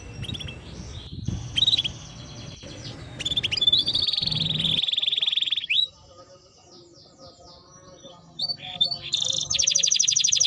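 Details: Timbrado canary song with pauses: short whistled notes, a smooth sustained trill, a quiet stretch, then a bright high pulsed trill to close.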